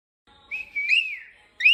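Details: Pet cockatiel being taught to whistle by its owner: a short clear whistled phrase holding steady, then rising and falling, ending with a quick upward whistle note.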